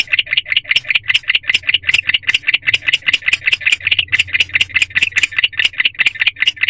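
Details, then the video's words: Male barn owl at an owl box at night, February, chirping again, likely calling for his mate: rapid, regular raspy chirps about two to three per second, bright and broadband, continuing steadily throughout with a faint low hum beneath. "Male Barn Owl Chirping."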